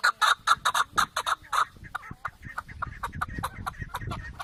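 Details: Chukar partridge repeating loud chucking notes for over a second, then fading into softer, scattered clucks over low rumbling noise.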